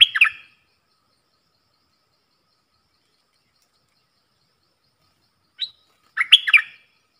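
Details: Caged bulbul in a song duel with wild birds, recorded 03/10/2564. One warbled whistled phrase opens, then a long silence, then a short note and another lively, rolling phrase of liquid whistles.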